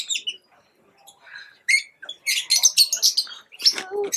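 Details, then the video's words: Pet lovebirds chirping: scattered short high chirps and squeaky twitters in quick irregular bursts, busier toward the end, with a lower nasal note near the close. "Love birds chirping sound"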